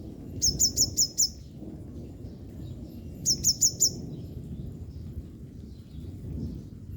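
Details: Yellow-bellied sunbird, a female drying off after a soaking rain, gives two short bursts of thin, high, clipped chips, five then four, separated by a few seconds of quiet over a low background hum.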